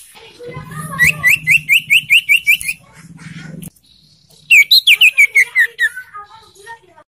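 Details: Young ashy tailorbird (sirtu) singing, played to stimulate caged birds to sing: about nine clear, evenly paced whistled notes over a low hum, silence, then a second rapid series that starts high and steps downward.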